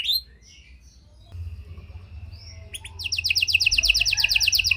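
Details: Panda canary 'cengkok mewah' lure song, a soft start with faint whistles over a low hum, then a bright, fast, even trill of high notes in the last two seconds.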